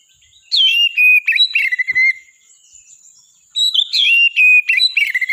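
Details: Energetic oriental magpie-robin (kacer) song: two bursts of varied whistled notes, each with downslurred and level whistles mixed with short sharp chirps, separated by a brief near-silent gap.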